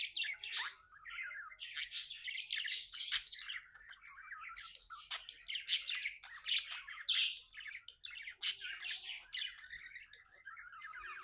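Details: Happy pet budgie chattering without pause: a long, busy warble of rapid chirps, buzzy squawks and clicks, rising and falling in loudness.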